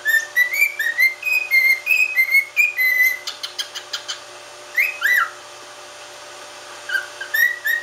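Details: Pet cockatiel whistling indoors: a run of clear, rising and falling whistled notes, several per second, then a short buzzy rattle, a pause, and a few more upslurred whistles.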